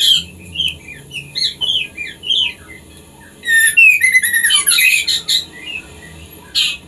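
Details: White-rumped shama song played to stimulate captive breeding birds to mate: varied whistled phrases, rising and falling slurs, interspersed with rapid chattering bursts and sharp high notes.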